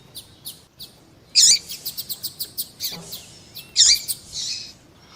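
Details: 'Coleiro tui tui' double-collared seedeater song together with a female's calls, meant to fire up a male: two loud buzzy chirp bursts about two seconds apart with a run of soft, evenly spaced ticks between them.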